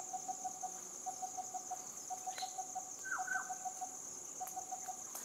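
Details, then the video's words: Coppersmith barbet repeating low tonk notes in short clusters, pausing briefly between runs. A shrill insect drone runs throughout, and a short sliding call from another bird cuts in midway. "Coppersmith barbet"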